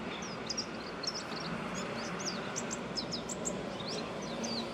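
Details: Japanese white-eye song from within a bamboo thicket in late March 2021: bright, very high, quick twittering and slurred notes, repeated in short bursts, with constant low environmental rumble underneath.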